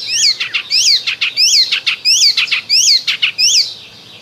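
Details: Icterine warbler in spring delivering one loud, clear note type over and over, a high downslurred whistle with a lower echoing tone, repeated about every two-thirds of a second for four seconds against a quiet background.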